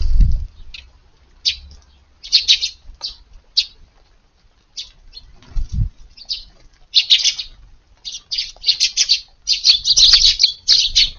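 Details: Eurasian tree sparrows visiting a garden for breakfast around 5:30 on a rainy early morning, 2 August: scattered bursts of sharp, high chirps, sparse at first then thickening into clustered chatter, with a few low thumps.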